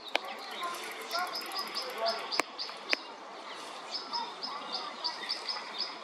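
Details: European pied flycatcher confronting a white-backed woodpecker, recorded 29 May 2024: sharp high notes repeated in quick irregular series, with a few loud clicks and background rustle.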